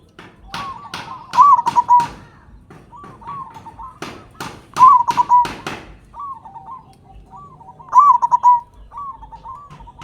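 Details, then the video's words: Loud local zebra dove meant to stir other doves into song: three bubbling rolling coos spaced about three seconds apart, with bursts of sharp rapid clicks early on and in the middle. "Perkutut Lokal Gacor Suara Besar Pancingan Burung Perkutut Agar Cepat Bunyi"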